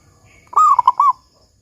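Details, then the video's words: Local zebra dove with the big "kung" voice style, played as a lure to get other doves singing: one mellow cooing phrase, a long slurred opening note falling into three quick rounded coos near the same low pitch, over quiet background hiss. "Perkutut Lokal GACOR Suara Kung Besar Pancingan Burung Perkutut Agar Bunyi"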